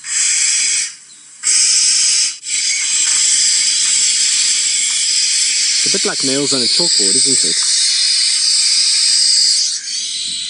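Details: African barn owl screech played back quietly from a device by a safari guide on an afternoon game drive, near a barn owl roosting in a tree hole: a long rasping breathy hiss, broken by two brief pauses, with a man talking briefly partway through.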